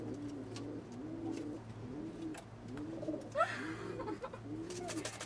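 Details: Frill pigeons mating: repeated low, bubbling coos about every second, with a brief higher squeak and scratchy rustling noises over a constant low hum.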